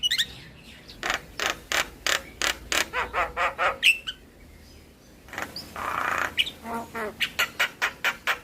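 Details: Javan myna song with full mimicry fills, played to coax silent or lazy mynas into singing: a fast series of harsh, broadband chattering notes with a few short whistles, a pause, then a raspy burst and more rhythmic chatter.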